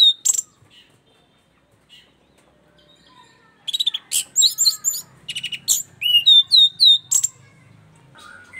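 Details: Punglor from East Nusa Tenggara, an orange-headed thrush, singing keenly after camera habituation: brief opening notes, silence, then an energetic stream of rapid high chips and down-slurred whistles repeated several times a second.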